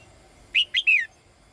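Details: Female bird calling to the male, giving three quick high chirped notes, the last longer and sliding downward, over a quiet background.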